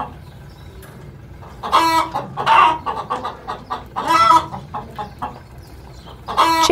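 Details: Chicken clucking in a farmyard: irregular bursts of harsh, nasal clucks and short squawky notes in uneven clusters, with a longer drawn call near the end and quiet gaps between.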